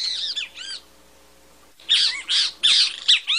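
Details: Great kiskadee (bem-te-vi) from Latin America giving loud, harsh, high-pitched notes in quick bursts of two or three, each slurred and ringing, with a faint low hum behind.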